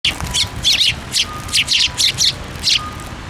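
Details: Eurasian tree sparrows gathering on a plum tree at a Tenmangu shrine on 10 February 2024; short bright chirps repeat in irregular bursts of two or three, with a faint steady tone in the background.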